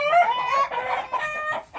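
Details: Chickens, with roosters among them, give harsh, nasal, drawn-out squawking protest calls, three or four strained notes in under two seconds, displeased as their nests are raided for eggs in late winter.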